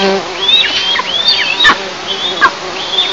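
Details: Eastern imperial eagle nest in an oil and gas area, morning of 11 July 2024; several long thin whistles with bent, falling ends, irregularly spaced, plus a brief low tone at the start.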